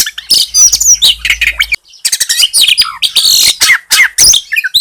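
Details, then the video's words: Bar-winged prinia, locally called ciblek gunung, its song spliced with oriental magpie-robin song and meant to provoke other birds: dense, rapid stream of high chirps, squeaky slurred whistles and twitters with a short pause near two seconds. "SUARA BURUNG CIBLEK GUNUNG DI SAMBUNG SUARA KACER"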